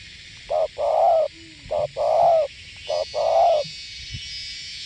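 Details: Northwest Vietnam spotted dove in gù (bo) cooing: three paired phrases of low mellow hoots, each a clipped note then a longer one, slightly uneven spacing, with faint hiss behind.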